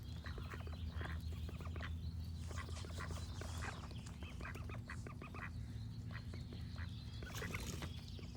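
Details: Continuous quacking from a group of ducks, clipped calls packed closely together, with birds singing in the upper register and a persistent low hum.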